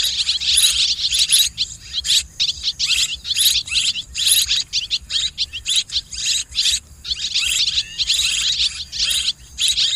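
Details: Swiftlets in mixed calling, repeated bursts of high, buzzy twittering chirps, each about half a second, overlapping voices with short quiet gaps throughout.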